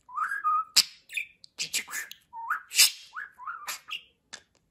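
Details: Household budgerigar talking and whistling: rising whistled slurs around mid pitch alternate with sharp clicks and rasping word-like bursts in quick succession.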